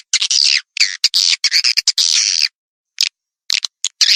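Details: Swiftlet calls used to attract swiftlets: long harsh buzzing, rasping trills broken by short chirps, then sparse clicks near the end.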